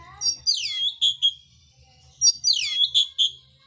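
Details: Oriental magpie-robin in fighting song, with coarse varied phrases: two bursts of rich whistled and buzzy notes, sweeping downward and then holding steady, each burst followed by short clear whistles. A faint low hum runs underneath.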